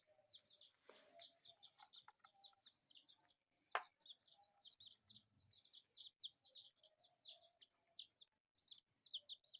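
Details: Four colourful pet chicks keep up near-continuous high peeping, rapid arched notes tumbling over one another, with a rustle early on and a sharp tap around the middle.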